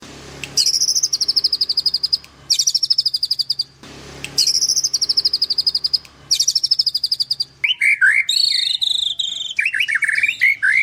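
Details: White-rumped shama at a bird farm in Kendal, Indonesia, singing in the rapid 'nembak' style: long bursts of fast, sharp, high repeated notes, then a jumble of lower warbled and chattering phrases.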